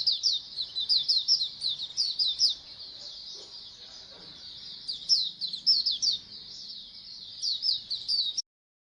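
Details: Singing colony of Oriental white-eyes, played so birds sing more: quick, high-pitched twittering warbles in pulsing bursts from several birds, a softer lull midway, then renewed chatter before stopping abruptly.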